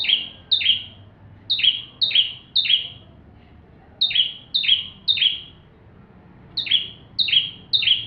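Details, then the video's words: Bar-winged prinia singing its full song, meant as a model for magpie-robins: a run of clipped, descending high notes delivered in groups of two to three, repeated after short pauses. "Burung ciblek tamu fulll gacor"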